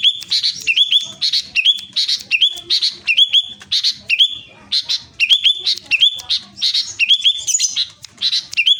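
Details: Caged sooty-headed bulbul from Klaten, Central Java, in full forceful song, delivering rapid phrases that each end in a bright upward-hooking whistle, repeated roughly every half second with brief chattered notes between.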